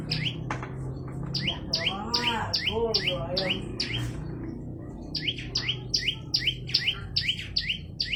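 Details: Olive-backed tailorbird in full, persistent song: a steady chain of shrill paired notes, a high tick sliding to a lower whistle, twice a second, pausing briefly while lower looping warbles sound before the series resumes.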